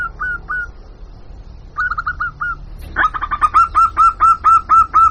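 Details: Local zebra dove lure call for attracting wild birds: two brief cooing phrases, then a fast run of about eleven clipped, slightly rising mid-pitched notes in steady rhythm, growing louder toward the end.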